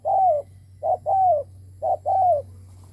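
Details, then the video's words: Decoy spotted dove cooing to lure wild doves: three low two-part coos, a short note then a longer, slightly falling one, about once per second over a steady low hum. "Cu mồi đất gù kích bổi cực mạnh / Tiếng chim cu gáy kích bổi hiệu quả / cu gáy gù /Chim cu mồi gù"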